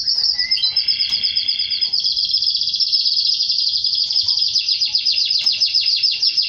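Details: Male canary song said to precede mating with the female: a rising note leads into layered steady whistles, then an extended rapid rattling trill pulsing about four times a second, bright and high-pitched throughout.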